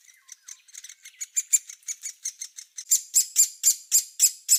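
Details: Great spotted woodpecker, a hole-nesting bird of Spain, giving a quick series of short, sharp, high ticking notes, about four each second. The notes grow louder and more ringing toward the end, with no other sounds.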